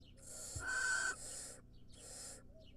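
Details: Wild barn owl nestling giving a long, harsh, breathy hiss that lasts about a second, followed by a shorter hiss after a pause, against a steady low hum.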